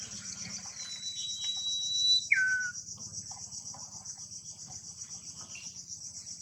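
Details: Common iora in the wild at its nest, delivering a single phrase. A thin whistle is held level for over a second, then snaps down to a brief lower falling note. Continuous buzzing insects sound behind it.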